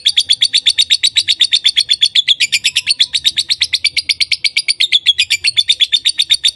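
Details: Continuous lovebird voicing, a fast steady stream of shrill high chirps, roughly four per second, with a thin whistled tone running through the middle of the series.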